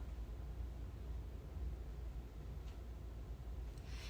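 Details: Quiet low rumble like distant traffic or room hum, with faint hiss and a brief soft click near the end; no animal calls.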